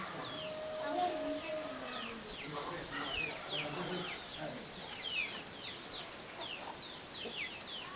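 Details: Hen training her chicks how to search for food; many short, high, descending peeps from the chicks tumble over each other in quick irregular succession, with low clucking faintly underneath.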